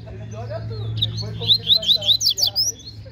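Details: At a bird gathering, a Double-collared seedeater sings competitively: a brisk series of seven or eight bright, high, slurred notes in rapid succession, set against a low droning hum and distant voices.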